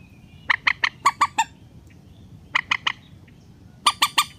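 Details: Relaxed rail calls for luring birds into nets: a series of six clipped harsh notes, a pause, three more, and a final bright triplet.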